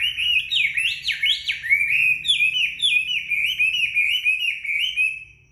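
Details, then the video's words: Chinese hwamei singing just after a bath while drying in the sun: loud, rich whistled phrases sweeping up and down, a rapid run of rising slurred notes settling into repeated upslurred whistles. "Họa mi hót khi vừa tắm xong được phơi nắng"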